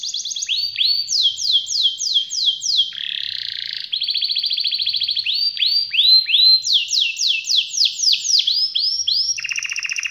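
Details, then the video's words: Canary in full, energetic song with a long rolling style, meant to prompt lazy or silent canaries to sing: quick series of descending slurred whistles, buzzy rattling rolls and sustained high trills, changing phrase every second or two. "Kenari malas dan macet bunyi langsung nyaut,seketika dengar suara kenari gacor ngerol panjang ini"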